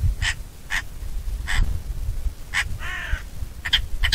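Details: Eurasian magpie giving short, harsh, noisy calls spaced about half a second to a second apart, with one brief grating buzz near the end, over steady low rumbling background noise.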